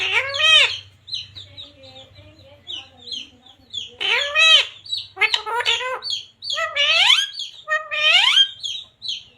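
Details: Pet parrot talking, saying "radhe radhe": repeated arching, speech-like syllables with rich harmonics, mixed with brief high chirps between the phrases and a faint low hum early on.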